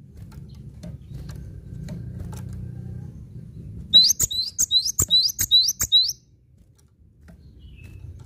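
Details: After a few seconds of low background hum, a cinereous tit delivers a steady string of about seven high, ringing repeated notes lasting two seconds.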